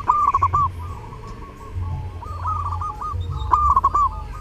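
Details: Zebra doves in full song at Lebaran, giving gentle stuttering coos that rise and run into a longer mellow note, with two loud phrases and fainter answering birds between them over a low rumbling background.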